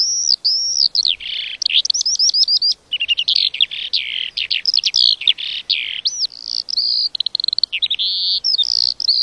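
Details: Extended lark song: a long, virtually continuous outpouring of high whistles, rapid clicking trills and swooping chirped notes over several phrases.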